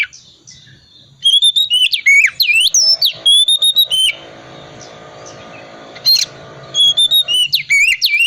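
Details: Oriental magpie-robin, 'tipe dingin' type, singing constantly with a full 'isian' repertoire as a lure for silent magpie-robins: rapid ringing whistles and downslurred notes, broken by a two-second pause filled with low background hum.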